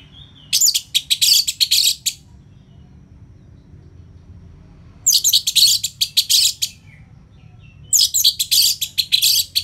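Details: Orange-headed thrush, a caged bird, delivers three bursts of dense, harsh, rapid chattering notes, each lasting about one and a half seconds and separated by quiet pauses.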